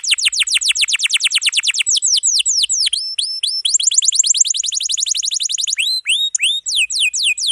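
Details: Domestic canary in a dense, continuous song with long rolls, kept for tutoring young or silent canaries: rapid trains of downward-sweeping whistled notes repeated many times a second, shifting into varied phrases and rising slurred notes.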